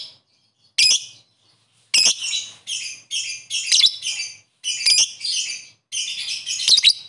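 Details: A lovebird calling rivals: a lone harsh chirp, then choppy, buzzy shrill phrases strung together in rough clusters.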